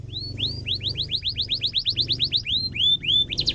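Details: Canary roll used to train young canaries: steady run of rising whistled chirps about four per second with a few longer upslurs, over a noticeable low droning background.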